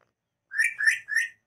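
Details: A pet Indian ringneck parakeet that the owner says has just bitten someone gives three quick, slightly rasping chirps, each rising then dipping, in under a second.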